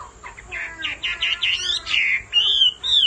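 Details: Male Hwamei singing, stirred by a female's repeated calls; a run of quick slurred whistles, then longer loud rising and falling whistled phrases separated by short pauses.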